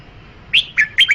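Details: Red-whiskered bulbul singing a brief phrase of three clear, slurred whistled notes that rise and fall in quick succession, against a faint steady background hum.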